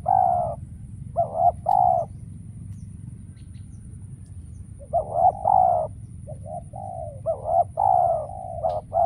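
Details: Decoy spotted dove calling during trapping as wild doves stay absent: two groups of loud, rolling coo phrases split by a long quiet gap, each a quick rising note into a deeper throaty coo, faint low hum behind.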